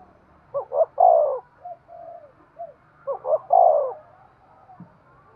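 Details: Two full coo phrases from a spotted dove, used to urge other doves on. A quick double note leads into a long throaty coo, followed by softer short coos, with a faint low hum underneath.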